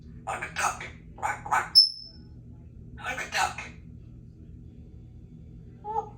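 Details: Congo African grey parrot, a 3-year-old female kept as a pet, chattering and mimicking speech: clusters of short word-like phrases, one brief pure high whistle, a long quiet pause, then more phrases and a faint tonal note at the end.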